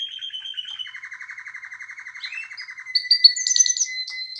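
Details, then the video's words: Canary song: a fast trill near the top of the range gives way to a long, even, buzzy roll held at one pitch. It ends in brighter, higher chirped notes over a thin steady whistle. "کنری مست/خواندن کناری مست/قناری با صدای عالی/KANARYA sesi"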